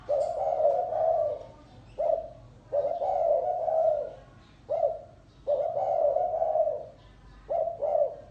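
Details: A spotted dove repeats its gáy gù coo: alternating short clipped notes and longer mellow phrases, about six in eight seconds, low and even in pitch, with light background hum.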